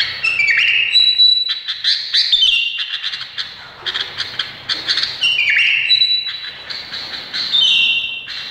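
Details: Indonesian bulbul song of loud rising and falling whistles mixed with sharp chips, in uneven bursts separated by short pauses.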